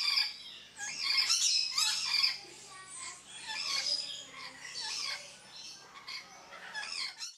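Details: Red-collared lorikeet calling with loud, grating squawks and high chattering screeches in irregular bursts, strongest at the start, with a soft low hum underneath.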